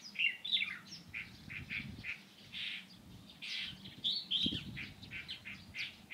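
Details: Light-vented bulbul on 16 April 2023 giving clear chirped and slurred notes, some paired, in an irregular run with brief pauses, with quiet low-pitched background rumble.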